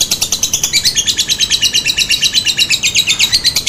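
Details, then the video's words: Lovebird lure call intended to make listening lovebirds respond: continuous rapid rasping chatter, high and buzzy, pulses evenly spaced at roughly three per second. "Suara Pancingan Lovebird Ngetik, Ngekek, Tarikan Panjang Bikin Lovebird Anda Ikutan Nyaut Seketika"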